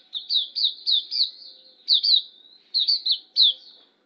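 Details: Hume's white-eye, a tutor recording for training birds, singing quick runs of high, sliding chirps in short bursts with brief gaps, each note dropping in pitch.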